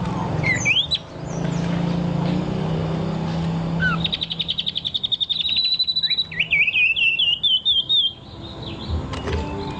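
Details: A few sharp whistled notes from a singing bird lead into a long, fast trill of rapidly repeated high notes that speeds up and then breaks into looping chirps. Low background rumble throughout.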